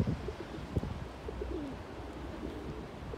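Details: Pigeon courting with neck feathers raised, dancing alone and calling, also warning a rival off its territory; soft, low, short coos with one falling drawn-out coo near the middle, over a faint low rumble.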